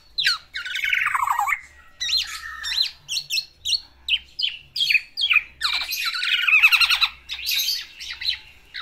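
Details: Black-naped oriole kept in a cage, courting a female with its full song: a harsh falling squawk, then rapid scattered high chips and slurred notes, ending in another grating descending phrase.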